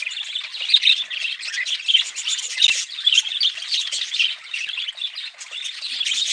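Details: Continuous high-pitched budgerigar chatter, many birds chirping and warbling at once, with scattered sharper whistled squeaks and uneven swells in loudness.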